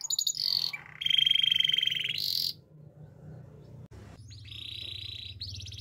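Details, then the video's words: Canary training song with a loud, steady buzzy roll, a bright high burst, a quiet pause, then softer high looping whistled notes and a short trill. "Yorkshire canary singing! The best canary training song"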